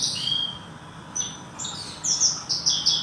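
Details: Horsfield's bush lark kept as a pet, sunning itself after bathing, gives a high chirping song of quick falling and rising notes, the phrases growing louder toward the end over a quiet low hum.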